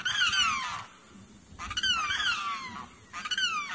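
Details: Limpkin gives loud, harsh, wailing screams, each sliding downward, repeated about every one and a half seconds over a soft background hiss; a far-carrying call heard near a wetland.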